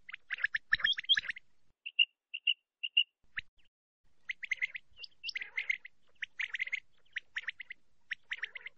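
Common quail calling: bursts of sharp, liquid chirps, then a short run of clipped whistled notes about half a second apart, before the busy chirping resumes.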